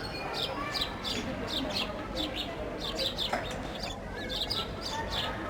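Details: Sparrows at a loaf of bread, chirping in irregular groups of bright, clipped notes, pausing briefly midway, over constant low noise.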